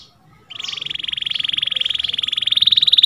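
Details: Canary song played as a tutor recording for canaries that have stopped singing: after a brief faint start, a rapid, even trill of sharply repeated notes holding a steady high pitch, steadily growing louder over about two and a half seconds.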